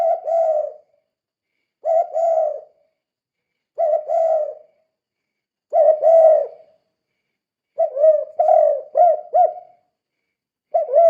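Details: Spotted dove, a strong-calling bird used to lure or stir other doves into calling: low hollow coos around mid pitch, repeated in spaced bursts about every two seconds, the later bursts breaking into quicker stuttering coos; quiet background.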